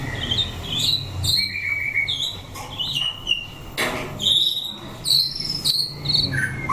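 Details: White-rumped shama, captive, in a bird fighting test: short high whistles and buzzy notes spaced out, some held briefly, with sharp clicks and low background hum.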